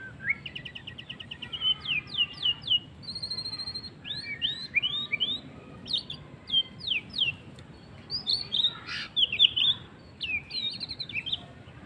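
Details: White-rumped shama singing in the afternoon: a rich, varied run of clear whistled phrases, with rising and falling sweeps, quick trills and sharp upslurred notes, in bursts about every half second over a soft low background hum.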